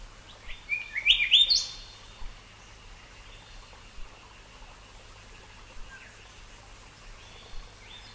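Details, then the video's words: Golden Whistler from Australia, a loud rising whistled phrase ending in a sharp whip-like upsweep, followed by softer scattered whistled notes against a faint background hiss. "Golden Whistler"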